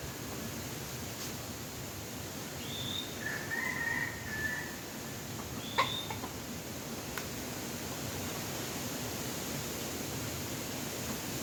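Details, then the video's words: Red junglefowl in the wild, drawn in with a domestic chicken decoy, gives one drawn-out, slightly rough crow of about a second and a half, framed by two brief high chirps from another bird in steady background hiss. "ຕໍ່ໄກ່ປ່າໝານໄກ່ບ້ານ( ต่อไก่ป่าหมานไก่บ้าน)"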